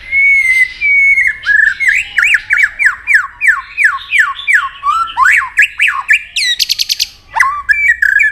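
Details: White-rumped shama singing in a contest: one long clear whistle, then a loud, fast string of varied downslurred notes, a brief high rattling trill near the end and a final sharply rising note.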